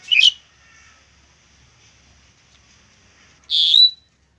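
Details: Asian pied starling recorded as a song model for training other birds: a short harsh squawk, a long pause, then a loud whistled note that rises and holds steady before ending abruptly.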